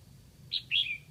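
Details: Decoy red-whiskered bulbul, caged, from Lạng Sơn, Vietnam, singing to draw in wild birds: one quick phrase of a clipped high note followed by a longer, slurred, falling warble.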